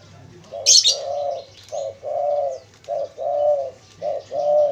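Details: Spotted dove calling, used as a lure for wild doves: paired coos, a short note followed by a longer, even, hooting note, repeated three times, with a sharp high chirp from another bird near the start.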